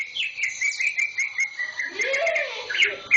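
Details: Green leafbird kept as a newly bought cage bird, tail still growing, sings a rapid run of warbling whistled notes, then a fuller burst with a lower sweeping tone underneath near the end.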